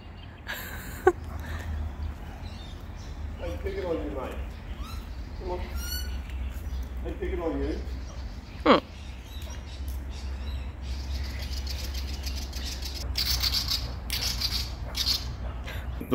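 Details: Willie wagtail scolding a man near its nest with eggs: harsh, rapid chattering chirps over the man's voice and a low engine rumble.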